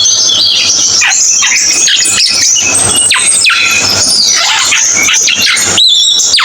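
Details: Cucak keling giving bright high whistles and sharp falling slurs in short bursts, partly masked by constant hissing noise.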